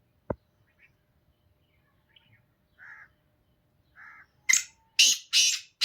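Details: Black francolin singing: after a few faint, soft tonal notes, three loud, harsh, grating bursts follow one another quickly, each rasping broadly across high pitches, with a quiet background.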